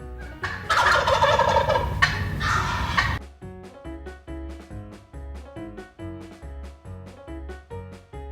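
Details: Turkey gobbling in two loud, rattling bursts over about two and a half seconds, followed by light plucked music with a steady beat.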